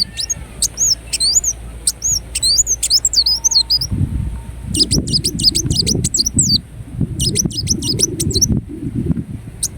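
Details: Kolibri wulung, or ruby-cheeked sunbird, from Indonesia: bursts of high, thin, swooping squeaks and quick chips in clustered phrases with short gaps, over a low rumbling background.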